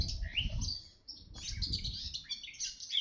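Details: Red-backed shrike (Lanius collurio), a summer breeder at Orduña near Bilbao, Spain, gives high, scratchy chattering notes with short squeaky whistles in bursts over a few seconds, with low wind rumble beneath.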